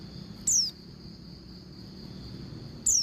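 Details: Female Oriental white-eye call used to prompt males to sing; two loud, thin whistles sliding steeply downward, about 2.4 seconds apart, above a steady high-pitched whine.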